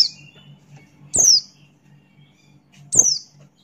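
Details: Buxton's white-eye male singing in the ngalas style: two loud, piercing notes, each sliding steeply down from very high, about two seconds apart, with near silence and a faint low hum between.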